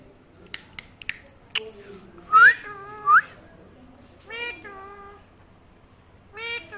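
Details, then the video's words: Talking pet parrot indoors: faint clicks, then two short upward-swept whistles, followed by two drawn-out, strongly harmonic, voice-like calls. "Very cute parrot talking | Funny parrot talking video"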